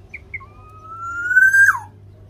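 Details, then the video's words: Black-naped oriole, local Javanese bird singing actively, used to make captive orioles sing: two brief high notes, then a long gradually rising clear whistle ending in a loud downward slur. "Kepodang lokal jawa gacor untuk pancingan supaya podang mu cepat bunyi"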